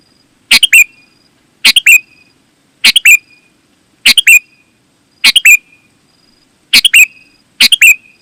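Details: A sooty-headed bulbul sings vigorously, meant to lure other bulbuls. Seven crisp, bubbly phrases come about every 1.2 seconds, each a quick burst of notes finishing in a short falling whistle, over a quiet background.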